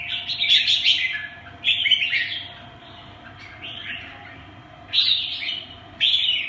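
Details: Kept red-whiskered bulbul giving short bursts of bright, scratchy chattering song, about four phrases spaced irregularly one to three seconds apart, with quieter warbling between; low steady hum behind.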